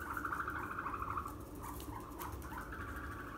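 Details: Young ostriches on a Saitama, Japan farm, recorded 7 May 2020, give a quick rattling trill of rapid pulses dropping slightly in pitch, then softer scattered chirps against a steady low background drone.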